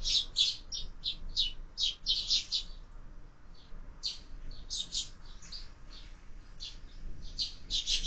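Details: Sparrows fighting at a window feeder: bursts of sharp chirps, a quieter stretch, then more clustered chirping, with low background rumble.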